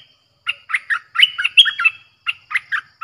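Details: Streak-eared bulbul song, fierce in tone, used to call in wild birds: a few separate sharp chirps, then a busier run of slurred whistled notes, followed by more spaced chirps.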